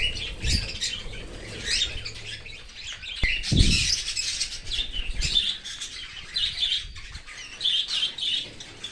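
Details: Baby Australian cockatiel being fed by its parent from outside the nest in an open aviary. Continuous high, buzzy rasping that swells and fades, broken by a sharp knock and a low thud near the middle.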